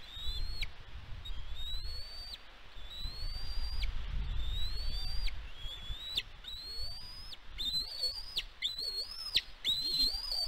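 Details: Bald eagle on its Catalina Island nest, California, USA, nest-camera footage from 16 May 2022. Evenly spaced upslurred whistles each break off downward, then speed into a quick, excited run of notes, with wind underneath.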